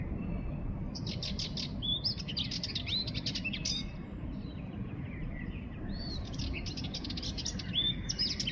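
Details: Sardinian warbler singing bursts of fast, scratchy twittering with a few sweeter slurred notes, one phrase of about three seconds and another after a short gap, above a low continuous hum.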